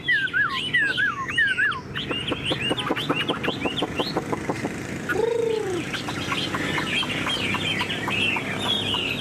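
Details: Tame caged Chinese hwamei singing: looping whistled phrases at first, then a run of sharp clicking notes and a single lower slurred note, with faint background noise.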